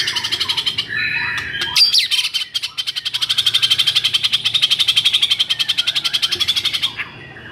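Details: White-rumped shama in excited song, used to provoke silent shamas: a few whistled notes followed by a long, steady high rattling trill pulsing about four times per second for several seconds.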